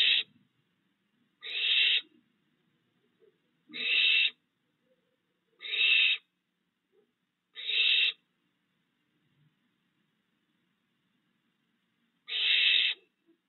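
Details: Barn owl family in a yard at night, June 22, 2022; three owlets have fledged and the father still brings food. A harsh, breathy screech repeats roughly every two seconds, six times, with a longer pause before the last.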